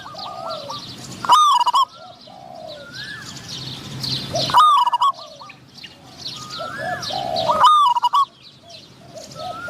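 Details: Spotted dove calling as a decoy to entice wild doves, a medium-voiced wild bird replying; three strong stuttering coo bursts spaced about three seconds apart, fainter coos and busy background chirps.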